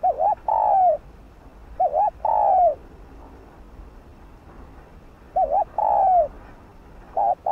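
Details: Cooing of a decoy spotted dove meant to urge other doves to coo. Repeated soft phrases: a short quavering double note, then a longer sliding coo that drops at the end, four phrases in seven seconds with steady low hiss behind.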